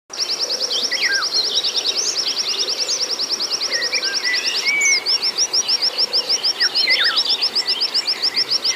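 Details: Oriental white-eye provoking recording meant to rouse a caged bird: long rapid runs of high, evenly repeated chip notes, overlaid with lower slurred twitters, continuous throughout.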